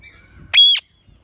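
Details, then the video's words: Parrot squawk: a faint, level whistle first, then one loud, harsh, nasal squawk lasting about a quarter second, rich and strident, followed by quiet. "Parrot Chirping Sound"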